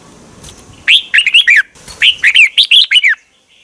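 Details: Red-whiskered bulbul kept in a cage in Thailand, its song used to excite other birds: two quick phrases of liquid, rolling, whistled notes rising and falling, delivered in a rapid cluster, then silence.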